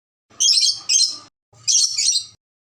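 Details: Red lory from Ambon, described as very vocal, giving two harsh, high, raspy screeches back to back, a short pause, then another pair of grating shrieks; no other sounds.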